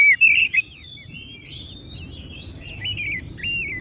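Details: Oriental magpie-robin song, played to urge other magpie-robins into song: two loud, rasping, slurred notes, then a soft, rambling, warbled whistle that ends in clearer wavering whistled phrases.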